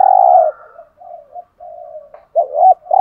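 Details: Spotted dove (cu gáy) cooing in the 'hạp bổi' style meant to stir captive males. A long low coo opens, quiet murmurs follow, then two quick arched notes rising into another sustained coo.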